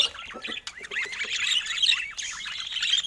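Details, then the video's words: Budgerigars giving a rapid run of chirps, squawks and short warbled notes that slide up and down, dense and continuous throughout. "Top Cute Budgie Love Vibes with Funny Sweet Sounds"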